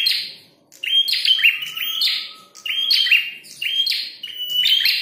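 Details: After a short pause, a fighting red-headed prinia launches into quick high chirping bursts, sharp and buzzy with a piercing whistled tone, repeating about once a second.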